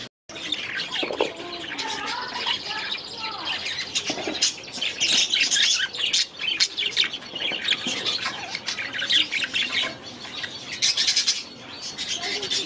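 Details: Budgerigars in an aviary chattering as a flock: dense, continuous high chirps, squeaks and warbled notes overlapping throughout, with a few brief lower whistled phrases and occasional wing flutter.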